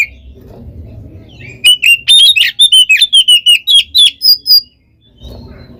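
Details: Oriental magpie-robin fighting song for provoking rival birds: after a quiet start, a burst of about a dozen loud, evenly spaced whistled notes, ending with a higher note and quiet again.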